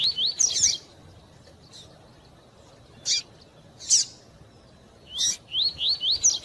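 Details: Double-collared seedeater singing the rapid tui-tui style, with female chips to stimulate the male: a fast run of rising slurred whistles, several spaced sharp chips, then another whistled run of about five notes.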